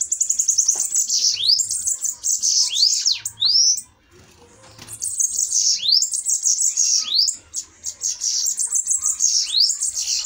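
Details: Bananaquits in a heated song duel: rapid, thin, wheezy trills broken by quick upslurred whistles, phrases running almost without a break apart from one brief gap near the middle.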